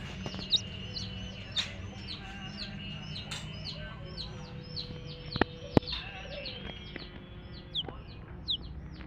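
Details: Baby chicks of the hen calling: high, falling peeps scattered irregularly across the recording, interrupted by a few sharp clicks and knocks, with a low background hum.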